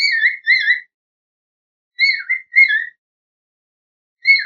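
A cockatiel gives clear, whistled chirps in short bursts of two or three notes.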